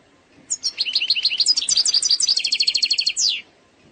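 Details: Algerian goldfinch song in the eastern sector style, free of errors: a continuous three-second phrase of quick, high, liquid twitters accelerating into a steady rapid trill, finished with a descending slurred note.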